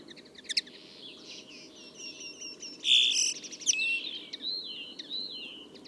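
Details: Common Linnet song, somewhat distant: a soft, rambling twitter of thin whistles, brief trills and a louder buzzy nasal phrase midway, followed by sliding whistled notes over a faint steady background hiss.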